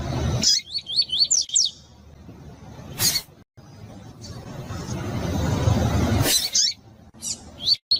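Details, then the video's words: Double-collared seedeater, a pure coleiro tui-tui female calling to stimulate males: quick, high, wavering chirps in a short burst, then sharp clicks and brief chirps again near the end, over steady low background noise. "Coleiro tui tui Puro com fêmea de coleiro Para Esquentar coleiro tui tui"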